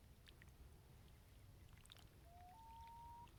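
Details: Common Loon on Lake Champlain, North Hero, Vermont, gives a pure, mournful whistle that starts low, steps up and holds steady for about a second, over a low rumble of wind or water.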